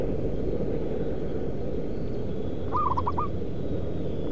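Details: Zebra dove near a concrete pipe and paving factory in Kudus, Central Java, where birds are trapped, giving a brief, quick run of four or five soft, mellow cooing notes against a steady low mechanical rumble.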